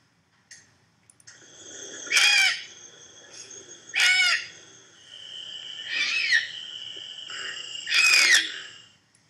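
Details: Barn owl (Tyto alba), found in Wisconsin, giving harsh, hissing screeches, four rasping bursts about two seconds apart, over a faint steady background hum.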